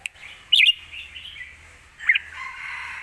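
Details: A red-whiskered bulbul gives a bold lak wai master song for young birds: two loud, bright chirped notes over a long, soft, drawn-out whistle, with a low hum underneath.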